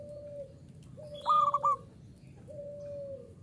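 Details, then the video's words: Local Indonesian zebra dove singing actively in the uraa umum style: one bright stuttering cooing phrase, framed by lower drawn-out coos before and after. "SUARA PERKUTUT LOKAL URAA UMUM GACOR NGAYER"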